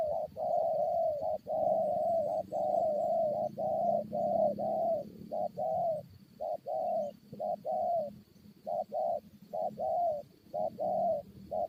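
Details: Spotted doves calling during a decoy-luring fight with wild birds: a dense, nearly unbroken run of low, mellow coo notes, short and long phrases overlapping as if two birds answer each other, with steady faint hum in the background.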